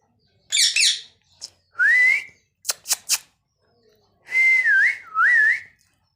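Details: Pet parrot that talks, repeating the word mittu; a burst of raspy noise, sharp clicks, then clear whistled notes that rise, dip and wobble, each lasting about half a second, in a quiet indoor room.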